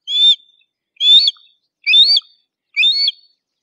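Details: Harris's hawk calling: four short, sharp, slightly rising-and-falling notes, each about a third of a second long, repeated roughly once a second, with no other sounds.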